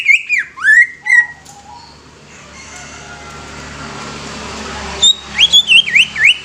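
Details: Greater green leafbird singing loud, clear whistled phrases with swooping, slurred notes. An opening burst gives way to a pause with faint hiss, then rapid looping whistles return near the end.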